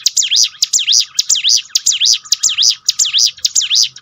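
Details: Bar-winged prinia singing to revive a down bird's spirit: a brisk, regular run of piercing swooping notes, about eight in four seconds, clean and strong over a faint continuous hum.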